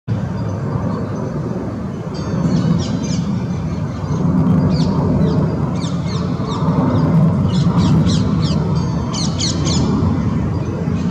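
White wagtail giving short, sharp, high chirps in quick bursts of two to four notes, over a heavy, steady low rumble of wind or distant traffic.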